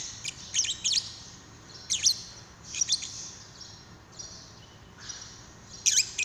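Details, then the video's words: Paud lovebird prompting call to make another lovebird sing: short groups of shrill, high chirps separated by soft pauses. "Pancingan love bird paud"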